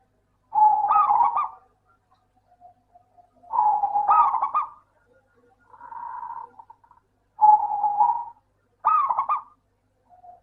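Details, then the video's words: Perkutut lokal (zebra dove) in full song as a lure for lazy singers: five quick, bubbling coo phrases about a second each, some beginning with a high flicked note, and a softer phrase in the middle. "Suara burung Perkutut Lokal - PINTAR PANCING PERKUTUT MALAS BUNYI"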